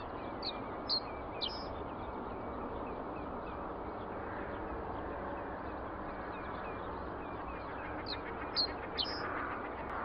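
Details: Singing common reed bunting, captured on a Nikon D300s DSLR: a short phrase of a few high notes near the start, repeated about seven seconds later, against constant broadband rushing noise.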